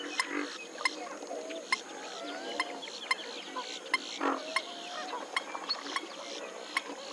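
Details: Western swamphen calling: a couple of short nasal, honking notes with stacked harmonics stand out among a busy background of many small chirping birds and sharp clicks.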